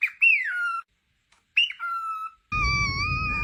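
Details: Parrot, described as a talking parrot, giving clear whistled notes that swoop up then glide down, twice, followed by a steady tonal sound over a rough, noisy background.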